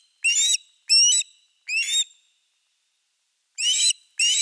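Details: At a nest in Finland with a fish delivered on 4 August 2024, osprey calls come as three quick whistled, upward-inflected notes, then a silence, then two more loud ones.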